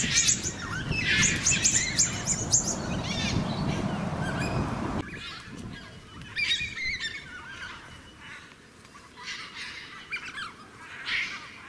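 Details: Carnaby's black cockatoos in Western Australia give harsh, squawking, wailing calls, repeated over a low rumble of background noise, with other bird chirps mixed in.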